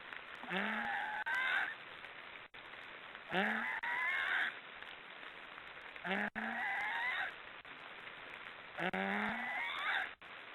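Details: Snoring of black storks, heard as four rasping, gently rising calls at a steady pace, each lasting over a second, with a faint background hiss.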